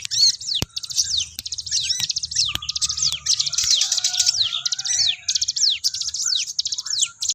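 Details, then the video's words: Tame sooty-headed bulbul, kept as a songbird and singing freely: rapid bursts of high chirps mixed with clear down-slurred whistles, delivered in busy phrases with short pauses and occasional sharp knocks in the background. "Burung Sogok Ontong Gacor Jinak"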